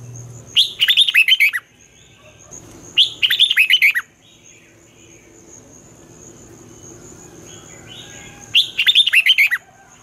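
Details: Three bursts of red-whiskered bulbul morning competition song, the twisting voice style used to train newly caught birds, each a tight cluster of quick slurred whistles about two to three seconds apart, over a steady high electrical whine and faint background noise.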